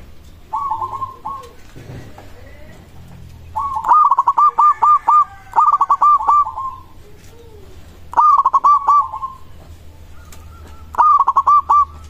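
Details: Local zebra dove song meant to prompt other zebra doves to respond: five bursts of rapid staccato coo notes, each rolling into a drawn final note, separated by pauses of one to two seconds over a low background hum.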